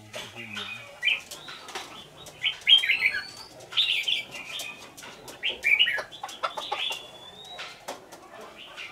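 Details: Lương Sơn red-whiskered bulbul, a caged decoy one week in, singing its fighting song: strong whistled phrases with long upward slurs, repeated in bursts, amid frequent sharp clicking taps.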